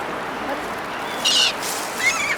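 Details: Gulls being fed by people in Turkey; a couple of short, bright, harsh calls cut through steady background noise and rumble.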